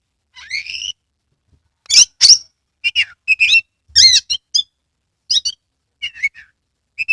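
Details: Oriental magpie-robin from Kebumen, Central Java, in full song while opening its tail, used to stimulate quiet magpie-robins: a rising whistle, then loud sharp notes and a run of varied chirps and twittered phrases.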